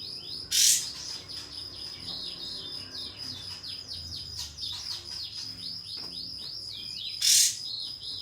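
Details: Pied fantail (kapas tembak) provoking song meant to draw a rival and make it fan its tail. Two loud, harsh, high bursts open and close a run of rapid, soft, arched whistles, with a steady high tone behind them.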